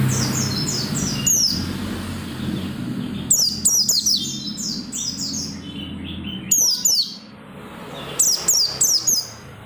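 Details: Oriental white-eye in energetic song, played to stir other white-eyes to sing: short bursts of high, rapid descending twitters over a steady low humming background.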